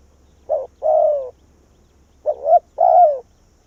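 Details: Vietnamese spotted dove working as a lure bird to bring wild doves in. It makes two cooing phrases, each a short note or two followed by a longer falling coo, separated by a pause of about a second. A soft low hum is present.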